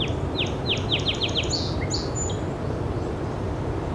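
A Pacific Wren sings a quick tumbling run of high, sliding notes and thin buzzy trills lasting about two seconds, over a steady rushing background like running water or wind.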